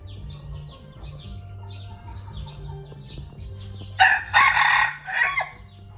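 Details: Red junglefowl, one of three young males kept as decoy birds. After several seconds of faint, repeated falling chirps, a loud, harsh, broken crow bursts out in three rough segments near the end over a steady low hum.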